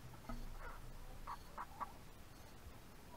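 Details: Young backyard hens, around four months old, feeding on a morning rice snack give a few faint notes, then three short, quick clucking calls in close succession over a low background rumble.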